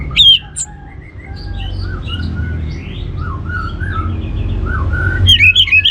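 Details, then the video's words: Orange-headed thrush trigger song meant to get other birds singing: loud sharp notes at the start and end frame soft, varied whistled phrases that rise and fall, with a low background hum throughout. "ANIS MERAH Cor Suara Penggoda Membuat Burung Kenceng Jadi Ngeplong Lanjut Teler"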